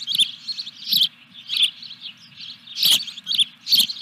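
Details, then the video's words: At the nest during a fish delivery on 14 July 2021, an osprey gives scattered, high-pitched chirps, single or paired, spaced irregularly about half a second apart. "Dunrovin Ranch Osprey Video_2021-07-14_212333-Fish #3"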